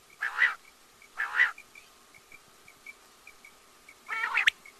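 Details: Quail giving three harsh, nasal rasping notes, two close together and one after a pause, with faint steady ticking in the background.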